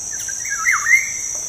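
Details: Black-naped oriole, played as a lure to get kept birds singing: one fluty whistle that rises, dips low and climbs back, lasting about a second, over a steady high insect drone.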